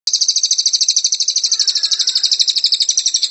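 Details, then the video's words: Velvet-fronted Nuthatch (cililin) giving its 'tembakan rapat' song, used as master training audio: a long, dense, high-pitched rattling trill of sharp notes at about ten per second, steady throughout. "Masteran Cililin Tembakan Rapat Durasi Panjang"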